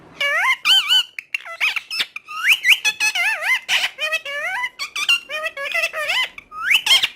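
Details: Talking parrot chatters nonstop in dense, wavering, speech-like syllables that rise and fall in pitch, with only brief gaps throughout.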